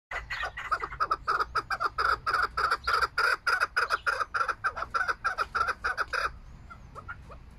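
A chukar gives a fast run of harsh, clucking chuk notes, about three or four per second, building into a rhythmic chatter before stopping abruptly.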